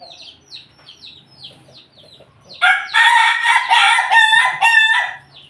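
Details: Pelung chicken in a house yard in Jogja (Yogyakarta), Indonesia, giving one long, loud, harmonic crow lasting about two and a half seconds in pulsing sections, after a run of high, repeated, downward-sweeping chirps from small birds.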